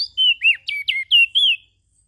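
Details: Ashy prinia used as a lure for small birds: six loud, clear whistled notes in quick succession, each bending down or up in pitch, then sudden silence.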